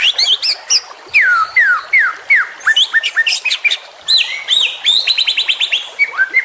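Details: Juvenile white-rumped shama with a lively varied song of downward-slurred whistles repeated several times, rapid high chatter and rising notes, sung in quick phrases.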